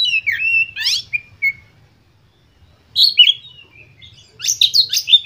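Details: Oriental magpie-robin lure song, meant to stimulate other birds: short loud bursts of sweeping whistles and scratchy buzzes, a long silent gap, then renewed high, harsh chattering phrases.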